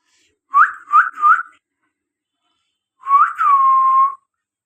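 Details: Pet talking common hill myna, one of two kept indoors and offered for sale, said to say over 20 words: three short rising whistles, a pause, then a rising whistle that settles into a long level note.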